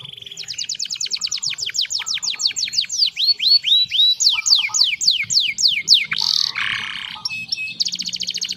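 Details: Canary song: a long run of rapid, evenly repeated down-slurred whistled notes, switching into a rolling series of swooping notes, then a harsh rasp and a fast high trill.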